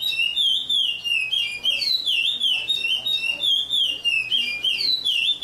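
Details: A chestnut-bellied seed finch (curió) sings the Paracambi song type: a fast, unbroken run of rich, slurred whistles, swooping up and down in bright, flute-like phrases.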